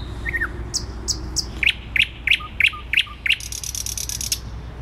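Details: Thrush nightingale in Warsaw city centre, Poland, 12 May 2020: a short slurred phrase, then strong regular clicking notes repeated about three per second, finishing with a dry buzzing rattle above a constant city hum.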